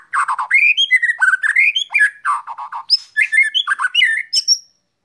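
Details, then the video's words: Sunned white-rumped shama in full song, a fast continuous stream of rich warbled and whistled notes, rising and falling, with high thin notes near the end before falling silent. "jemur murai batu"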